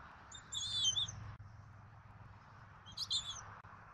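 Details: Bald eagles at a Southwest Florida nest at dinner time on 14 February 2024, an adult pair with their eaglet, captured by a nest camera: two bursts of high, thin chirping notes with harmonics over a steady low background hum.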